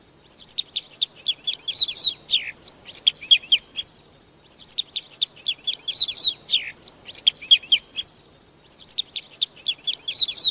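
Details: Red crossbill singing in three similar bursts, each a dense string of sharp high chirps and warbled notes ending with a downward slur, separated by short gaps, with no other sounds.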